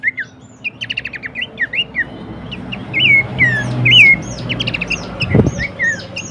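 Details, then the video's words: Horsfield's babbler song for songbird training: rapid chips and trills with looping slurred whistles, a brief low thump near the end, and steady background rumble. "masteran dan pancingan bunyi khas burung pelanduk semak"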